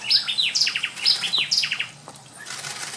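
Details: American pygmy kingfisher in Costa Rica: high, thin chirps, each leading into a quick series of descending slurred notes, repeated twice in about two seconds, followed by faint background hiss.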